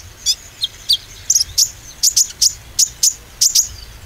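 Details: Oriental white-eye played as a lure to encourage greenish and spotted birds to sing with confidence: very high, sharp chirps and short slurred notes repeated roughly every quarter second, steady and insistent throughout.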